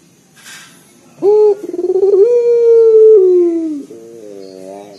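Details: Local Barbary dove giving a loud, deep, bassy coo used to prompt other birds into calling: a sharp rising onset, a stuttering ripple, then a long steady hooting note that slides down and ends in a short wavering tail.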